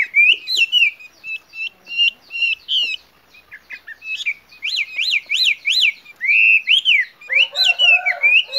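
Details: Female Chinese hwamei giving lure calls meant to attract males: bright, sharp notes in fast runs, a cluster of clear up-and-down chevron whistles in the middle, then longer slurred phrases with a harsher ending.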